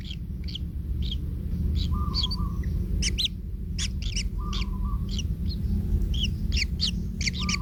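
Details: Nestling kingfishers begging as the parent treads on one: scattered harsh, rasping chirps at irregular intervals, some doubled, over a continuous low hum with brief flat tones.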